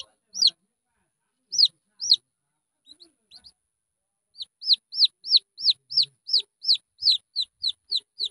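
A red junglefowl chick gives high, thin peeps that arch up and fall. A few scattered notes build into a steady run of about three peeps a second.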